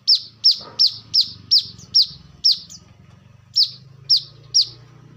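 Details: Brown-throated sunbird, recorded as a lure and as a song model for training birds, repeats a sharp, high, downslurred note about every half second over a low background hum.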